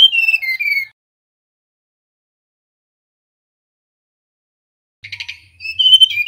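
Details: The tail of a whistled phrase from a male mangrove blue flycatcher, then silence, and a new phrase starting with buzzy notes and climbing into clear whistles near the end.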